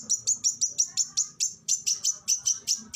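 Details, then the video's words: Oriental magpie-robin in a tutor recording for training songbirds, giving fierce bursts: a rapid series of about thirteen rasping, high chattering notes, roughly four per second, over faint low background noise. "MASTERAN BURUNG KACER TEMBAKAN SADIS"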